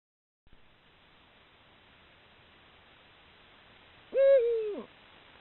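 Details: Eurasian eagle-owl caught by a camera trap at the start of the breeding season, when pairing calls intensify toward nest selection; after quiet background, one deep hoot holds steady, then sags slightly before cutting off.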